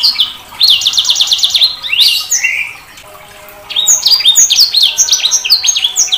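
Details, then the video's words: Sanger bird delivering a fast buzzy trill followed by upward whistled sweeps, then after a short quiet gap a run of rapid, repeated downslurred chirps and whistles. "Suara Burung SANGER"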